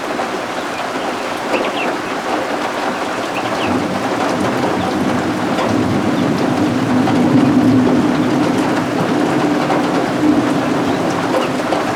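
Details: Steady rain falls throughout, its broad hiss swelling slightly midway, with a low rumble like distant thunder. No animal calls can be picked out above the downpour.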